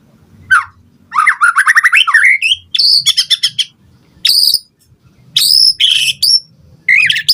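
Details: White-rumped shama song used as a lure to provoke other birds to respond: loud, rich phrases with rapid rising trills, whistled notes and harsh buzzy bursts, varied and energetic, with short pauses between bursts.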